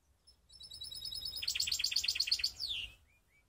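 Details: Hybrid canary from Skopje singing a short phrase. A fast, even trill of high notes swells into louder rhythmic chirps, about nine strong beats, then a downward slurred whistle and two soft trailing notes.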